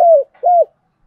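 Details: Spotted dove from Đồng Nai, Vietnam, cooing to lure other doves: two low, mellow coo notes, each gently falling at the end, with a short gap between them and silence after.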